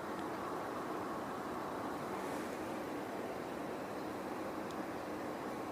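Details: Continuous engine-like roar with steady broadband hiss from start to end and no animal voice.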